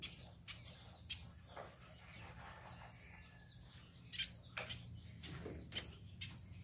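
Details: Tame sparrow uttering thin, high chirps in small clusters separated by quiet pauses, some notes sharply descending, with a soft constant background hum.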